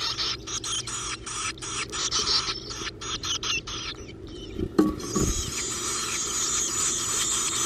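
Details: Black-capped Chickadee nestlings in a backyard nest box, fed by their two parents, beg in a hissy, buzzing chorus of rapid bursts; a dull thump near the middle is followed by steadier, louder begging.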